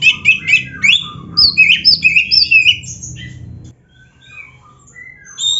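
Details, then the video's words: Kept Oriental magpie-robin (kacer) in 'full isian' song: rapid varied whistles and harsh chirps for several seconds, then sudden quiet with only faint distant notes. "MASTERAN BURUNG KACER GACOR FULL ISIAN MEWAH"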